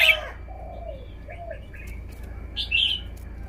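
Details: Red-whiskered bulbul, a kept songbird, showing off its song phrasing: a loud bright burst of notes at the start, a few soft low slurred whistles, then a short clear warbled phrase near the end over a steady faint whine.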